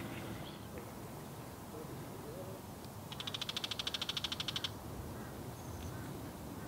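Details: Bull-headed shrike in South Korea, probably one of a mated pair moving about together. A harsh, rapid rattle of about twenty dry clicking notes runs for roughly a second and a half, against steady background noise.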